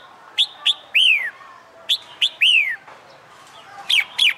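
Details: Caged red-whiskered bulbul being trained for fighting song: loud sharp chirps followed by a down-slurred whistled note, the phrase repeated about every 1.5 seconds, with short bright notes near the end.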